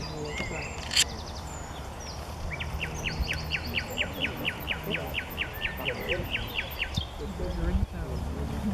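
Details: Common nightingale singing at Paxton Pits, Cambridgeshire, on 30 April 2016, seen in the open: a long, even series of about twenty sharp repeated whistled notes, roughly four per second, over a heavy low rumble of wind or handling noise.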